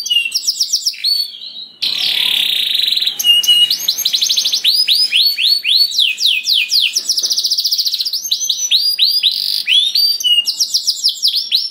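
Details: Canary singing as a lure for other canaries: varied high phrases mixing fast rolling trills, a harsh buzzy passage near the start, and clear looping whistles repeated several times per second.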